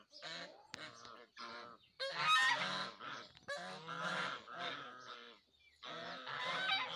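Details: Several geese calling over one another in a dense, continuous chorus of overlapping nasal honks with barely any gaps.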